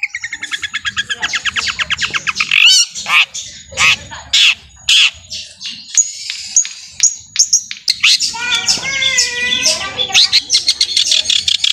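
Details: Long-tailed shrike singing, kept to excite other shrikes into singing: rapid harsh rattling trills, sharp high chips and buzzy scratchy phrases, loud and dense, with a steady thin high tone throughout.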